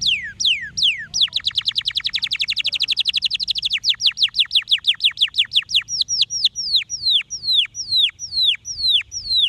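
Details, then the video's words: Singing canary delivering a fast rolling trill of evenly spaced notes for nearly three seconds, then a series of clear descending whistled slurs, repeated roughly twice per second toward the end; quiet low background hum. "Pinte-roteando as vibrações de cannry"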